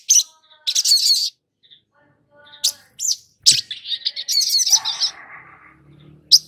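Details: Long-billed spiderhunter song played as a lure to make young birds sing. Intense, high, scratchy chatter comes in bursts, then trails into a softer, lower, rattling warble.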